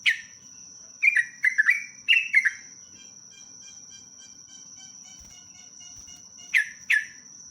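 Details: Lively sooty-headed bulbul singing long rapid 'ropelan' phrases as a lure: a cluster of short, downward-slurred chirpy whistles, then silence and two more isolated notes near the end, with a constant high electronic-like whine throughout.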